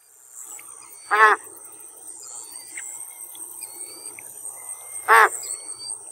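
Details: Two brief, rasping nasal honks from an American white ibis, about four seconds apart, over a soft backdrop of high, thin whistled notes from other birds.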